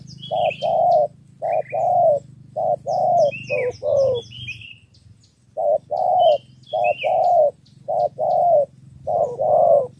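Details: Spotted dove from Ca Mau, Vietnam, calling in the 'thổ 3 âm' style to lure wild doves. Hollow coos come in short clusters with a pause midway, and sharp chirps of small birds dot the background.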